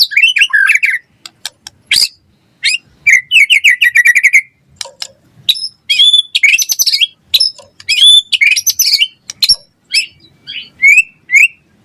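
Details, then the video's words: White-rumped shama in lively full song for luring and tutoring caged shamas: quick chattering whistles, sharp clicks, harsh buzzy bursts and short rising whistled notes delivered in rapid, irregular groups. "Suara Murai Batu Gacor cepat RESPON NYAUT"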